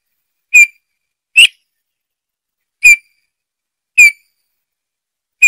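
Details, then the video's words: Bullfinch song of plain, short, downslurred piping whistles, each note single and mournful, five notes spaced about one second apart against a silent background. "chant de bouvreuils - song Pyrrhula - طائر الدغناش"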